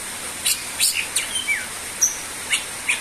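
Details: Greater green leafbird in busy song: varied sharp chirps and thin whistles, one clear falling slur in the middle, notes irregularly spaced over a faint continuous hiss.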